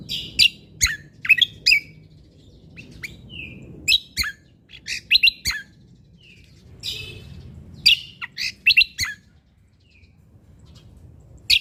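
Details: Sumatran leafbird from Lombok singing actively: bursts of sharp, high chirps and ticks in quick clusters of two to four, with brief pauses and short slurred notes between, over a faint low hum.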